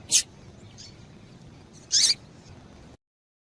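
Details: Female double-collared seedeater giving calls meant to excite a male: one brief high chirp at the start, then a louder, slightly longer chirp near two seconds, with faint softer notes between, against steady quiet background.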